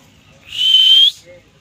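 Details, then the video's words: A talking common myna kept as a pet gives one loud, clear, high whistle of about half a second, gently rising toward its end. The background is otherwise quiet, with faint low murmuring. "শালিক পাখি কথা বলে"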